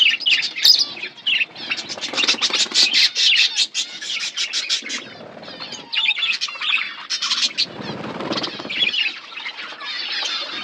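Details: Feeding flock of pet budgies, bursts of rapid chirping and warbled chatter from many birds, with short quieter gaps and some scratchy sounds between bursts.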